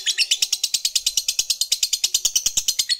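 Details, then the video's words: Lovebird fighter ngekek meant to provoke rivals: quick, regular bursts of shrill chatter, about three each second, with a faint low background tapping. "Ketikan Labet ini Merangsang Lovebird Fighter Cepat Narik Ngekek"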